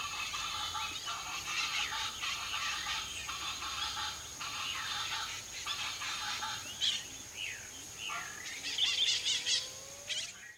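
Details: Chaco chachalacas in the Pantanal, Brazil, give harsh, raucous, rhythmic phrases in overlapping bursts, with a steady high insect-like whine and a few thin whistles from other birds.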